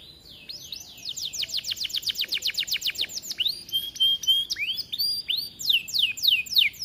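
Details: Atlantic canary in vigorous song, used as a master for young birds: a fast, even series of around twenty downslurred notes, then a steady pure whistle, then looping rising sweeps.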